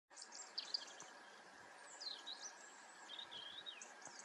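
A European stonechat gives thin, high whistled notes and scratchy sweeping phrases, some rising and falling, over a steady background hiss.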